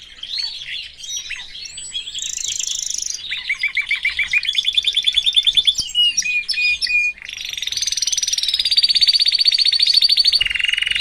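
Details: A caged canary, part of a family group, sings a varied, continuous song: rising whistles, rapid rolling trills, a pure whistled note, then a long, loud, fast-pulsed roll and a lower trill.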